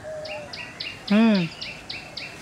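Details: Bronzed drongo calling: a quick series of short, high chirps sliding downward, repeated about every quarter second, broken midway by one loud, nasal, harsh drawn-out note, with a soft low whistle at the start.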